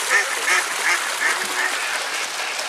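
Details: Flamingos at Prague Zoo on 21 September 2010 give a steady series of short, nasal, goose-like honks, about three a second, over a constant background hiss.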